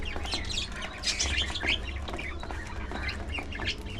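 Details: Budgerigars eating together: a cluster of bright, quick chirps midway through, set against a constant low rumble and faint pecking clicks.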